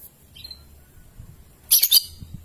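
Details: Lovebird, young (paud) bird, used as a lure for long ngekek and ngetik trilling; a quick stuttering burst of three harsh high chirps after a faint thin squeak, over low background hum.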